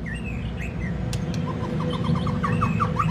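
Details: White-rumped shama long-voiced song for rousing other birds: a series of short rising whistled notes repeated faster and louder toward the end, a few higher whistles above, all under strong low rumbling noise.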